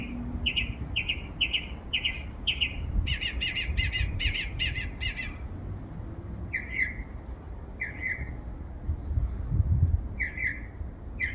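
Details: Backyard bird with more than 20 distinct sounds repeats buzzy harmonic chirps in a quick regular series, speeds into a rattling run, then slows to spaced single chirps, with low thumps in the background.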